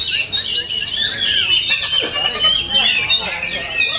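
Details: Kacer, the Oriental magpie-robin, singing at full power: a shrill, nonstop torrent of high whistles, buzzy trills and squeaks in quick succession, loud throughout, with little else heard.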